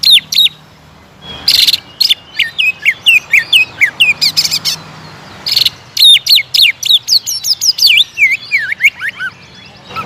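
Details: Greater green leafbird singing aggressively, a lure track meant to rouse a caged bird into immediate song: loud harsh noisy bursts between quick whistled phrases, later a sequence of looping, wavering whistles sliding up and down.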